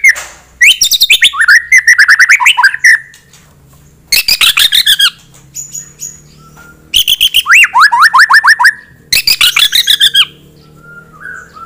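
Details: Aggressive white-rumped shama song used to stir a rival: four loud bursts of rapid, varied phrases mixing sharp chips, harsh squawky notes and quick falling whistles, separated by brief near-silent gaps of about a second.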